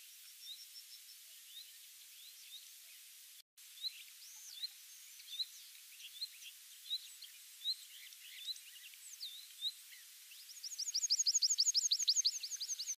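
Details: A tree pipit found in a rare patch of mixed woodland in Mongolia sings thin, high, sweet notes that build into a fast, ringing run of repeated notes near the end, over a faint hiss.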